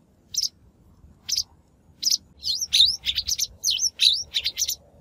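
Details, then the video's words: Shrike lure recording, used for trapping or voice-training wild-caught birds: three spaced rasping notes about a second apart, then a fast chattering series with swooping whistled slurs woven between harsh notes. "Tiếng chim Bách Thanh mồi"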